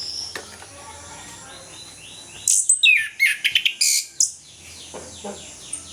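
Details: Orange-headed thrush singing in the morning, a recording used as a lure to prompt lazy captive birds to sing. A two-second burst of loud, high, rapid whistled and chattering phrases. Faint quieter notes come before and after it.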